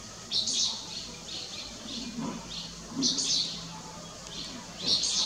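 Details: Striated swallow at Lugu, Taiwan, 30 June 2022, giving scattered high chirps, several loud and some fainter, at irregular intervals about once every second or two, with low rustling noise beneath.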